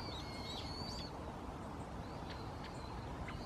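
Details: Thin high whistles from a Brown-headed thrush in January 2015, possibly a territorial call, filmed on a Canon PowerShot SX60 HS; a clearer sliding whistle near the start, then fainter short notes, above constant low-pitched background noise.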